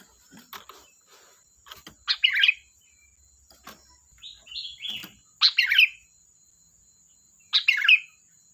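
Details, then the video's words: Sooty-headed bulbul (kutilang) in lively full song: short, bubbly warbled phrases, three loud bursts spaced a few seconds apart with softer notes between, a steady thin high whine throughout and scattered clicks. "Suara burung Kutilang Gacor || Ocehan Kutilang"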